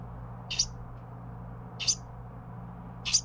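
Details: Young Carolina wren being fed by its parents: three short, very high, sharp chirps spaced roughly 1.3 seconds apart, over a low steady background hum.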